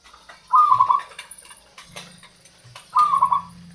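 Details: Local zebra dove song for luring wild doves and prompting quiet ones to sing: two short, rolling cooing phrases about two and a half seconds apart over a low hum and light clatter.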